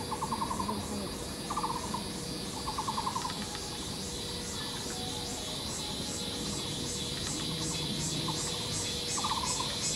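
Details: Taiwan barbet pair at Yixuekeng nature park, Taishan, Taipei County, Taiwan, excavating a tree-hole nest and duetting in courtship. Short, rapid pulsed bursts of hollow notes come in clusters, separated by pauses, over constant high insect buzzing.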